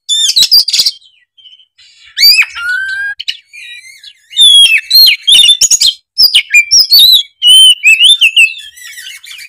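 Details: Energetic oriental magpie-robin song: high whistled slides, clipped chirps and dense chattering phrases, delivered in irregular bursts with brief gaps between them.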